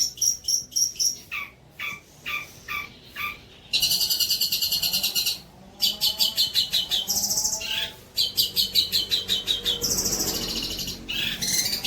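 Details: Long-tailed shrike tutor song for young shrikes: a series of slurred descending whistled notes, then dense rapid trills, chattering runs and sharp high phrases in a long, varied sequence.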